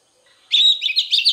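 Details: Oriental magpie-robin singing in its standard wild forest voice, used to stimulate young birds: after a quiet start, a brief bright burst of high twittering and whistled notes lasting under a second, with no other sounds.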